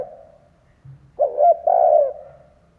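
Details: Decoy spotted dove from Vietnam cooing to lure wild birds: the tail of a previous coo, a brief quiet gap with a soft low thump, then a full phrase of short hoots swelling into a sustained mellow coo.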